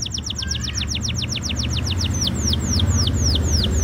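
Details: Canary singing: a steady run of quick descending notes slowing into separate falling slurs, over strong low rumbling background noise.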